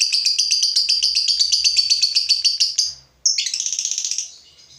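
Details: Agitated fighter lovebird facing a rival, delivering a fast rattling chatter of shrill repeated notes for three seconds, a brief break, then another rapid burst that fades away.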